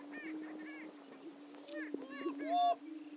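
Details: At a historic Missouri lek on Dunn Ranch Prairie, Hatfield, greater prairie-chickens keep up a low, sustained moaning boom beneath clusters of higher whooping and cackling calls from several birds.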